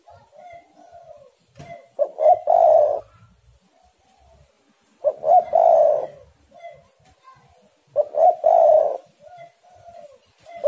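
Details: Spotted dove in steady cooing song, three full phrases roughly three seconds apart, each opening with soft notes, swelling into a throaty rolled coo, then a quieter falling note; occasional faint taps in the background.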